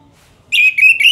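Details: A single short phrase from an Orange-headed thrush: three clear, slightly rising whistled notes in quick succession after silence.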